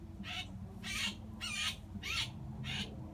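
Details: A blue jay screams in distress while a hawk, having grabbed it mid-flight, pins it on the ground in a front yard and plucks it: five harsh, raspy shrieks, each brief, about twice a second, over a low rumble.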